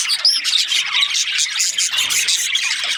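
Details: Several budgerigars chirping together, a dense, continuous high chatter of rapid overlapping twitters and short squeaks with no pauses.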